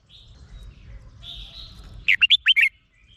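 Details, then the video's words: Thai caged Red-whiskered bulbul song for exciting other birds: faint high trills first, then a sudden burst of five clear, warbled whistles in under a second. "เสียงนกกรงหัวจุก สำหรับต่อ หรือ เปิดให้นกคึก เสียงเพราะๆ"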